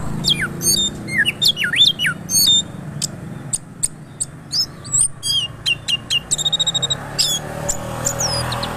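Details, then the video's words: Orange-headed thrush pouring out continuous 'gacor ngeroll' song: a dense run of sharp high notes, downward sweeps and quick trills, some notes repeated in fast series, with a low background drone. "Anis kembang Gacor Ngeroll"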